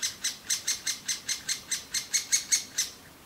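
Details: Begging chicks of great spotted woodpecker in a nest hole in a big old aspen, fed by both parents; a run of about thirteen sharp, high chirps, each fading quickly, evenly spaced around five per second.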